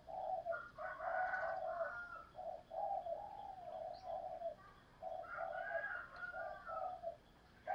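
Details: Spotted dove cooing in urging and calling styles, the double coo known as hai hậu; soft, muffled coo notes repeated steadily over a loud hiss of background noise.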